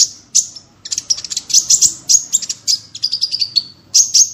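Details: Small bird singing in full tembakan style, rich in variation: dense, very high chattering chirps and quick rattles, with a thin whistled note near the end and a soft low hum beneath.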